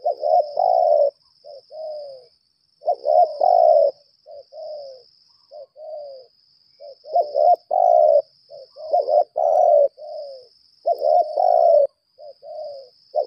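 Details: Spotted dove decoy of the lambung kuk type keeps up challenge cooing. Rhythmic phrases of stuttered double notes end in long hoarse coos, with softer trailing notes between. A thin steady hum runs throughout.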